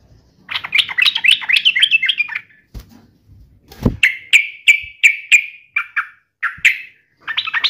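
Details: Yellow-vented bulbul singing to taunt and answer a rival. It opens with a fast, chattering burst of bubbly notes. After a pause and a dull thump come clear, separate whistled phrases, repeated about twice a second, then renewed chatter.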